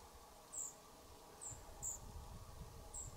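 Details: Young European pied flycatchers departing their nest box give sharp, high-pitched single notes, four in three seconds, spaced unevenly, with faint low background hum.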